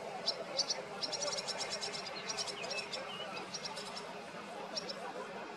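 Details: Two large, recently fledged barn swallow chicks being fed with great dedication by their parents. Thin, high chirps come in quick clustered bursts throughout, over steady background noise.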